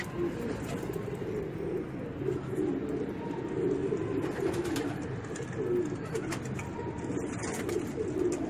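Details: A group of racing pigeons coos without pause, deep gurgling notes overlapping into a dense, even hum, with faint scattered clicks and a brief higher tone in the background.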